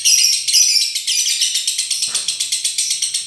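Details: Lovebird konslet song: a couple of squeaky whistled notes, then a steady rattling chatter pulsing about twice per second, interrupted by a single short knock.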